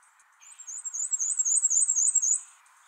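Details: Black-and-white warbler singing the longer, faster song version used on breeding grounds: a very high, thin, squeaky series of rapid wheezy notes running about two seconds over a faint low hum.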